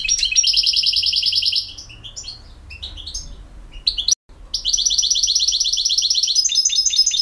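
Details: European goldfinch from BiH delivering campero song: long fast rolling trills of repeated notes, broken by a short mix of twittering chirps, then the rapid trill resumes.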